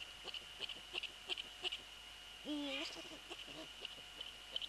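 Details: At a Eurasian eagle-owl nest on 3 February 2014, amid a prey transfer and the male on the nest, one short wavering tonal call rises above quick ticking and rustling noises and a steady high hum.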